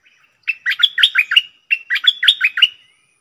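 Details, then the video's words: A decoy Red-whiskered bulbul gives two rapid phrases of bubbly, chirping whistles, each phrase made of about six notes that swoop up and down, with a short gap between them. The background is clean. "เสียงต่อนกดอกแตงEp.63นกต่อเจ้าเพชร||เสียงเรียก||เบิ้ล||ริก!!มีครบในคลิปเดียวSuara merbah lekir gacor"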